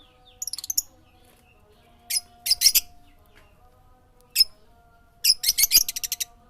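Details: Songbird singing: very high, sharp chipping notes in fast trills and short bursts, separated by pauses, over a faint steady electronic hum.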